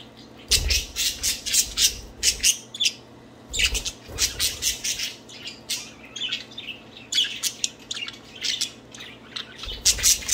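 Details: Budgerigars playing and singing: continuous bursts of rapid, scratchy chirps and warbles in quick runs, several birds overlapping, with low thumps and rustles now and then from movement in the cage.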